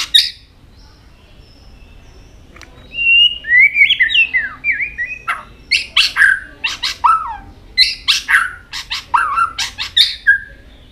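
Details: Switching between many voices while flicking its tail, a white-rumped shama begins after a quiet spell with fluid whistled slides, then a busy run of sharp chips and dropping whistles.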